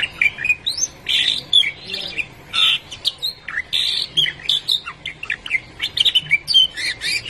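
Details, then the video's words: Canary singing after a long time without seeing its companion: bright, rapid phrases of chirps, whistled slurs and short trills, broken by brief pauses, with no other sounds. "el efecto del canario por mucho tiempo sin ver a su amigo hasta que se olvidó de su voz"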